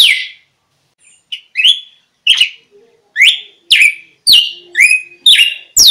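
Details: A red-cowled cardinal song, used as a lure call for wild birds: loud, sharp down-slurred whistled notes, repeated about twice a second in an uneven, lively string.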